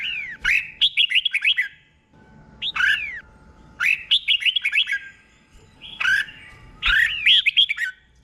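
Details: Slow, clear doubled 'boen' song from a caged red-whiskered bulbul, played to teach other caged birds: the same bubbly phrase of rapid slurred whistles repeated about four times, spaced by short gaps.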